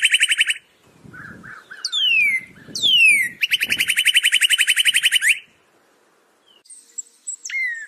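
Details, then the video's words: Northern cardinal repeating a rapid trill, then two long falling whistles and another sustained fast trill, ending with a short downslurred note. Faint low rustling sounds underneath. "SOUND CARDINAL NORTHERN BIRD"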